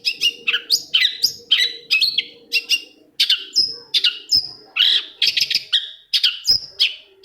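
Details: Long-tailed shrike (cendet) song used as a lure to provoke a shrike that is reluctant to sing into answering; rapid chattering phrases of sharp whistles, harsh buzzy bursts and varied notes, separated by brief pauses.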